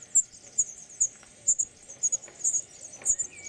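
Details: European serin in an olive tree, singing in spring: high, thin, tinkling notes delivered in quick pairs and clusters about twice a second, with a faint lower whistle near the end.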